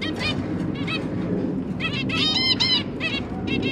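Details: Zebra finch family with three newly hatched juveniles while the parents are busy feeding them: bursts of short nasal, honking beeps, single and in quick runs, over a low steady hum, recorded 1 October 2022.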